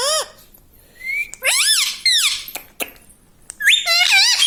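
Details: Talking pet parrot indoors, said to say "mummy papa": a short whistle, then rapid rising-falling speech-like syllables and a raspy stretch. Sharp clicks are heard between them.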